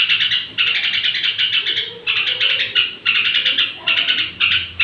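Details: Straw-headed bulbul's evening song before sleep, said to raise other bulbuls' excitement: rapid pulsing chatter in bursts of one to two seconds, steady and loud, over a quiet hum.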